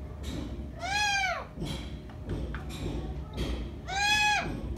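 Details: Green parrot talking to itself, kept as a pet: harsh, nasal, drawn-out squawking syllables that rise then fall, with short mumbled sounds between and soft knocks in the background.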